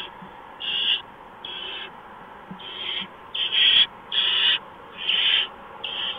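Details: Barn owl at a nest on a night in early March, 4:26 in the morning, as a mouse is brought in; harsh hissing screeches, mostly short bursts, about seven in six seconds, over steady background hiss.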